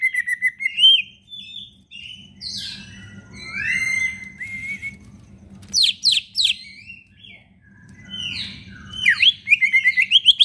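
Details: Leafbird in captivity, a prolific singer used to coax silent birds of its kind into song, delivering jumbled sweet whistles, sharp downward slurs and buzzy notes in fast shifting phrases over a faint low hum.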